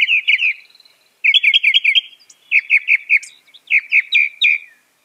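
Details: Mockingbird (Northern) singing quick repeated phrase groups: a fast trill of clipped chirps, a series of stuttered notes, then evenly spaced pairs of slurred whistles.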